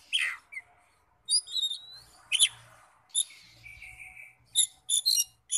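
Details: Oriental magpie-robin singing as a lure to stir other magpie-robins into full, open answering song: scattered high chirps, a sliding whistle and a drawn-out buzzy note, with a faint low hum beneath.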